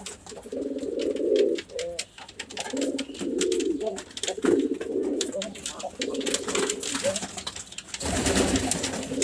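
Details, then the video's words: Repeated pigeon coos in steady low burbling phrases about a second long, separated by short gaps, with light tapping throughout and a burst of broad rustling noise in the last second. "Pigeon Chirping Sounds | Natural Pigeon Sounds | Pigeon Calling Sounds"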